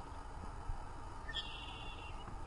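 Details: A single squawk from a male Red-winged Blackbird on the Cynwyd Heritage Trail, Lower Merion, Pennsylvania, in spring (April), flashing his red epaulettes in territorial display: a harsh, buzzy note sliding upward and trailing off over about a second, over a low rumble.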